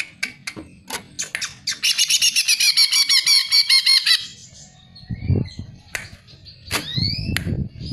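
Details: Greater green leafbird, recorded as a lure to prompt other birds into song. Sharp clicking notes open into a fast, even buzzing trill lasting about two seconds, followed by rising whistled upsweeps and scattered chips.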